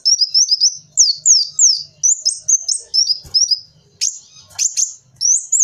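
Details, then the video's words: High, thin sunbird phrases from a kolibri wulung, the kind used as a lure recording: quick downward-slurred squeaks and short buzzy bursts in a busy, jerky sequence, with faint low background murmurs. "Suara burung kolibri wulung cocok buat suara pikatan kolibri"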